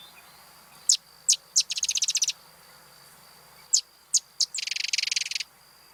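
Sedge Wren song given twice: three sharp, very high chip notes, then a dry, harsh, rapid rattle like a sewing machine. No other sounds are heard.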